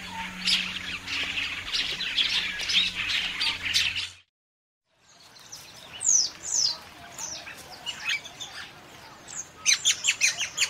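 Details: Common starling song: busy chatter, a short silence, then clear descending slurred whistles followed by a quick run of clicking notes.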